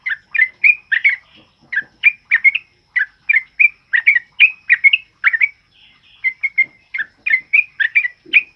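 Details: Sooty-headed bulbul belting out loud, rapid 'ropel uplik' song meant as a master for other birds: clustered, liquid, whistled notes in quick bursts, a short pause, then more.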